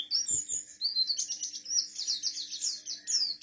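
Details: Buxtoni Oriental white-eye, a kept bird, in rolling song mixed with mimicry of forest birds, rapid high twittering and quick repeated slurred notes in a continuous stream, with two soft low thumps near the start and a faint constant hum.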